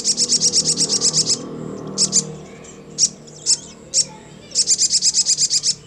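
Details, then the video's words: Crimson sunbird (sogon) song said to make any sogon quickly answer and ngleper: bursts of very high, sharp ticking notes in rapid runs of about ten, separated by a few isolated chips, over a low background hum. "TAK BUTUH WAKTU LAMA, SOGON MANAPUN CEPAT NYAUT NGLEPER"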